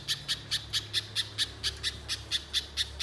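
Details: Little spiderhunter lure call: evenly spaced, sharp, high chips, roughly two per second, steady and regular throughout the few seconds.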